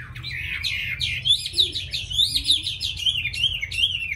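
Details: Tame caged Chinese hwamei from Hanoi, Vietnam, prized for its fine voice and eager singing, delivering a loud, fast, varied run of whistled and slurred phrases repeated about once a second, with a faint low hum indoors.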